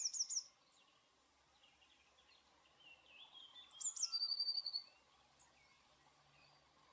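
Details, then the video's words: Eurasian blue tit song: high, thin notes dropping into a short, lower, silvery trill, with fainter chirps from other birds in a quiet background. "blue tit / pimpelmees sound"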